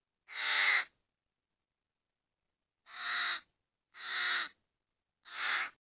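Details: Adult and young common ravens in forest, Murmansk region: four loud, hoarse croaking calls, one alone, then three spaced roughly a second apart, in a quiet setting.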